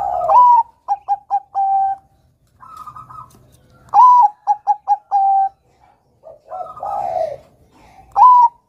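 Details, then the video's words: Zebra dove of the Bangkok type, singing actively to lure young doves into song. Three phrases, each an upward-swept opener, three or four fast clipped coos and a held final note, separated by softer murmuring coos. "PERKUTUT BANGKOK GACOR kutut Bangkok Gacor Manggung NEGEL ini PINTAR mancing bunyi Kutut Bakalan"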